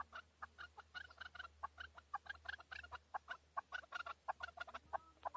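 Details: A male chukar in Tajikistan, 2020, heard somewhat distant: quick, jumbled clucking notes tumbling in irregular clusters over a faint low hum.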